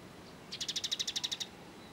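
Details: Kolibri ninja sunbird singing, recorded as song-training material for cage birds: one fast, high trill of about ten sharp, evenly spaced notes lasting roughly a second, over quiet background hiss.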